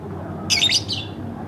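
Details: Pet lovebird kept at home gives one short, high, scratchy chirping burst lasting about a third of a second, over a low steady room hum.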